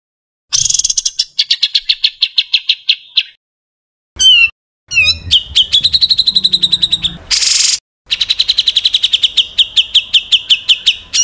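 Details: Bird song in the tembakan kasar style, gathered as tutor material for cucak ijo and murai batu: several spliced bursts of rapid high ticking notes, some rising and some falling, separated by abrupt silences and one loud noisy burst.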